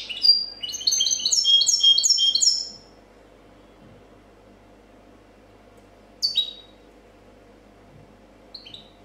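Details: European goldfinch, champion of a 2014 copia contest: an opening stretch of quick, high, stacked twittering notes, a long silence, then a lone descending double chirp and a faint final call.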